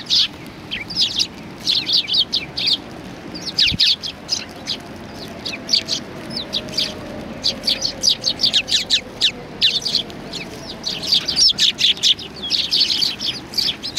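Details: Many sparrows coming to be fed at a Tenmangu shrine on 25 November 2020, chattering in steady overlapping chirps for fourteen seconds, with a faint low hum behind.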